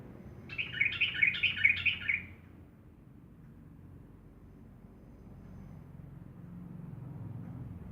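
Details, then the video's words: Straw-headed bulbul, known locally as cucak rowo or trothokan, from Java: one loud, bubbling burst of rapid warbled notes lasting about a second and a half, then quiet with a low background rumble. "Kicau burung cucak rowo"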